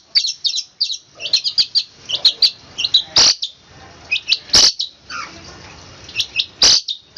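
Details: Rapid rolling roll speed rapat song of a long-tailed shrike: clusters of bright, high chirps in quick bursts, broken by loud clicking knocks and short pauses.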